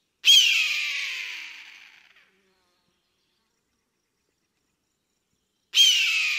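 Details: Eagle soaring in the sky while hunting prey: a pair of hoarse, piercing screams about five and a half seconds apart, each sudden and loud, then fading gradually over two seconds into silence.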